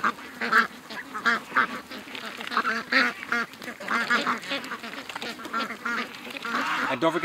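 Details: Morning rush of over 700 ducks and geese toward the lake, August 6th, 2015; many raspy quacks tumbling over one another in quick, uneven bursts, building into a thick, steady clamour toward the end.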